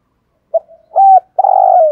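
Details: Spotted dove decoy calling to lure wild males: a soft clipped note, a flat hollow coo, then a longer buzzy coo that trails slightly downward. No other sounds.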